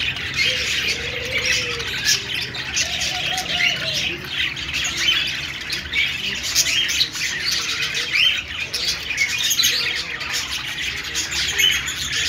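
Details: Budgies chattering happily as a flock, the high scratchy squawks and chirps rising and falling in loudness in waves, with a few lower wavering whistles early on.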